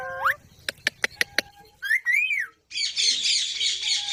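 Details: Pet parrot making a rising whistle, a quick series of sharp clicks, an arched warble, then a sustained harsh, raspy squawk lasting over a second.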